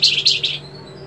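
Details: White-rumped shama, a master recording for training songbirds, a bird said to have trilling notes and sharp rasping 'besetan' notes; three quick harsh, buzzy high bursts within half a second, then a faint thin whistle over a low steady hum.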